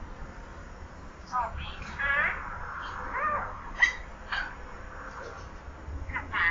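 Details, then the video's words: Young pet common hill myna, under a year old, talking in imitation of people: a run of soft, slurred speech-like syllables with bright squeaky accents and short clicks, in a small indoor space. "นกขุนทอง พูดเก่ง"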